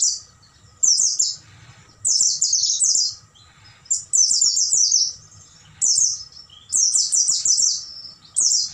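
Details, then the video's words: Oriental white-eye singing at night, recorded as a tutor track for caged birds: six bursts of thin, high, rapid twittering, each phrase of quick descending notes lasting about a second, separated by short pauses, over a faint low hum. "MASTERAN PLECI MALAM HARI"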